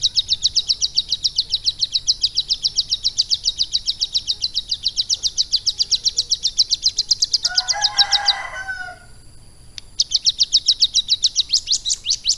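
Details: Hand-raised ciblek gunung prinia singing its lovebird-derived material: a sustained, very fast high trill of clipped notes for eight seconds, a brief burst of lower, harsher chattering notes, a short pause, then the rapid trill again.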